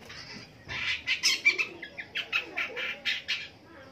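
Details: Long-tailed shrike singing in the morning: after a quiet start, a quick series of harsh, scratchy notes follows about five per second, each a short broad rasp, with faint background hiss.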